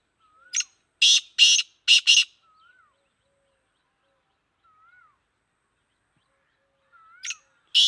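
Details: Black francolin of the Sindhi type, a kala teetar, kept as a captive bird: a loud, harsh, grating phrase of four rapid broadband bursts, then quiet, then two more bursts; a soft, thin, curving whistle is heard between the calls.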